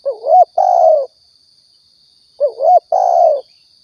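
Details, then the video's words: Spotted dove, Riau lure for trapping and shooting: two mellow phrases about two and a half seconds apart, each a quick warbled double coo then a sustained low cooo, with a steady faint high tone. "suara tekukur balam pikat & nembak"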